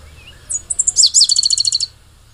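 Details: Critically endangered pale-headed brushfinch from Ecuador singing one high-pitched phrase: short opening notes, a sharp burst, then a quick series of about ten even, ringing chips that stop abruptly. Faint low background noise.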